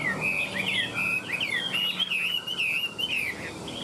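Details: Clear, ringing song from a caged Chinese hwamei showing off with fanned tail and wing flicks: smooth whistled notes sliding up and down in a rolling, nearly unbroken melody.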